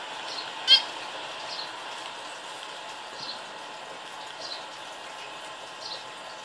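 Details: A male pet zebra finch watching a video on a phone gives soft, nasal, high calls at irregular intervals of about a second.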